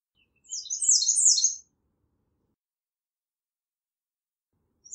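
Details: An American redstart delivers one brief burst of high, rapid, slurred notes lasting about a second, followed by silence and the start of another phrase.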